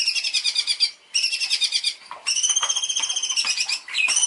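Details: Long-tailed shrike in a champion master recording used for training: sustained fast pulsing trills in bursts of about a second, a rising swept note, and scratchy chips. Light background hiss.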